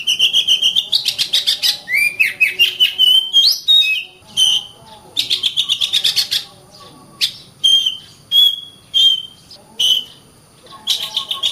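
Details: Oriental magpie-robin in full, lively song ('gacor'): rapid rattling bursts of scratchy notes alternate with sweet slurred whistles, repeated in energetic runs with brief gaps between phrases.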